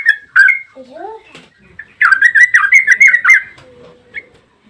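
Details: Yellow-vented bulbul in a long rapid-fire 'ropel' song, used as a lure to provoke other bulbuls into singing: bright chirps, two lower rising slurred whistles, then a fast run of clipped notes and a soft closing whistle.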